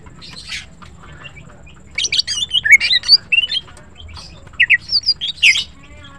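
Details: Morning song of a greater green leafbird, called green cucak: a quiet start, then rapid runs of bright whistles, twisting slurred notes and chattering chirps in two dense bursts, over soft low background noise.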